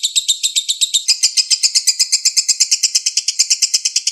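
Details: Konslet lure song of a lovebird, a fast shrill chatter of about six sharp notes per second that quickens and brightens after the first second, running steadily to the end.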